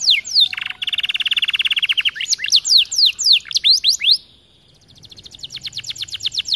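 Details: Loud gacor canary singing to stir other canaries: steady rolling buzzy trill, then a volley of sharp descending whistled strokes, a brief pause, and a softer rapid repeated trill.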